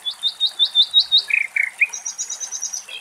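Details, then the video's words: Wild common nightingale song recorded in Greece. Sharp repeated chips form a steady series, then drop into a few lower buzzy notes. The phrase ends in a thin, high, rapidly repeated trill. "Αηδόνι Κελάηδημα - Dragonfly and Nightingale Song"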